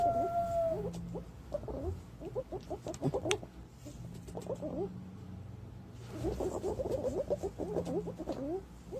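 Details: Green pigeon lure call: a bent whistle opens, followed by two runs of fast, jerky, warbled notes in a middle pitch, separated by a softer stretch.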